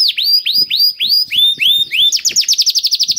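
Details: Gacor canary singing in a special cengkok style meant to prompt other canaries to sing: five or six loud downslurred whistles, then a quick rolling trill of clipped notes.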